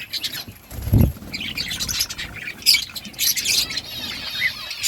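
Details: Colony of breeding budgies: a low thump near one second, then scattered sharp squawks and high chirps with a softer warbling chatter continuing behind.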